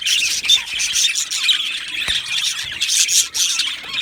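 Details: Budgerigars in an aviary colony: dense, continuous chattering and squawky chirps crowd together, with brief sharp squeaks breaking through the high, busy babble.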